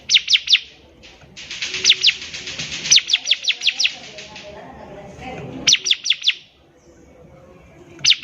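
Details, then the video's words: Lively bar-winged prinia song for tutoring young birds: bursts of rapid, sharp high chirps, repeated in runs of three to five with a longer fast series, separated by short pauses, with faint background voices. "CIBLEK GACOR || SANGAT COCOK UNTUK MASTERAN CIBLEK PAUD BELAJAR BUNYI"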